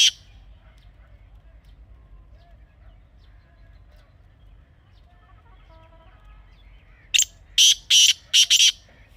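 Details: Grey francolin: a long quiet stretch with a faint low hum, then a loud rasping phrase of four grating bursts near the end.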